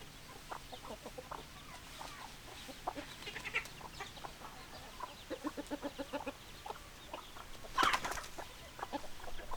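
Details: Hens clucking in a flock, short clucks overlapping irregularly from many birds, with a brief louder squawk near the end.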